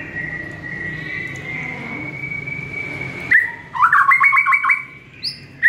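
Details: White-rumped shama singing in the morning for training caged birds: a long level whistle for over three seconds, then a rapid stuttering burst of rising notes and a brief high whistle.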